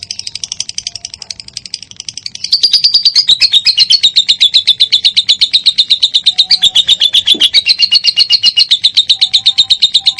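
A lovebird sings a long, shrill, rapid chatter of high chirps, about four a second, that grows louder partway through and carries on without a break.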